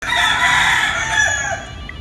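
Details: Rooster, one of two brothers calling each other to combat, giving a loud, hoarse, drawn-out crow that holds steady, then rises slightly and fades after about one and a half seconds.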